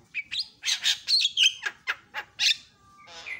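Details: Javan myna responding within seconds to a lure sound: a quiet bird turning noisy. Rapid harsh chatter with buzzy bursts and sharp whistled notes, about ten clipped phrases, then a steady whistled tone and a final rasping note.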